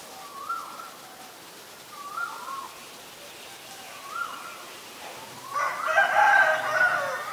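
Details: Female Asian koel calling: three short hooked notes, rising then dipping, repeated about every two seconds, followed by a louder burst of another harsh, broad sound near the end.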